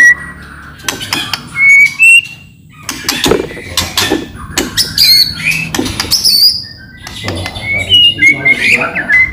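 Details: White-rumped shama song played to lure other shamas into answering: harsh broadband clicks and rattles mixed with short high whistled phrases, loud and busy throughout.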